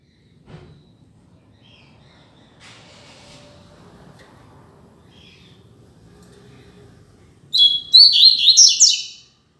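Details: Double-collared seedeater singing firmly and loudly: after a quiet stretch, a fast burst of high, buzzy, warbled notes with quick sweeping phrases runs for about two seconds, clear against faint background hum.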